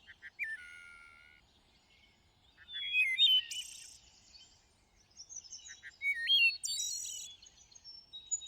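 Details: Among lush greenery a thrush gives varied whistled phrases: a level low whistle, rising slurred notes, a loud high buzzy trill, a pause, then more stepped whistles and a trilled burst.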